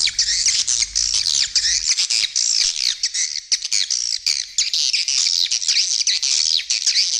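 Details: Calling sound of edible-nest swiftlets, made to attract the birds, mixed in stereo with supporting sounds on left and right: continuous high, buzzy twittering from many overlapping birds, chirps rising and falling throughout.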